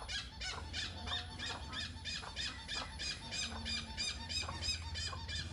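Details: A hornbill calls with a fast series of shrill, squeaky squeals in an even rhythm, about three each second. A low droning hum runs underneath.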